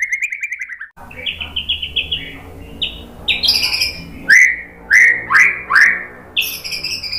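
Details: White-rumped shama song for training: pulsing trills at mid pitch, harsh high chatter, then four loud rich whistled notes each sliding upward, repeated roughly every half second.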